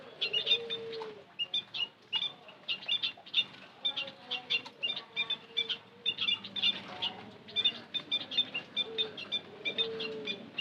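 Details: Lure call of white-headed munias, a dense, ongoing chatter of sharp high chirps in quick bursts, with occasional low, level whistled tones running beneath.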